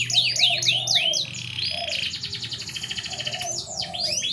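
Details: Canary song aimed at a canary reluctant to breed: quick overlapping swept chirps, then a long rolling trill, ending with more rising and falling whistles.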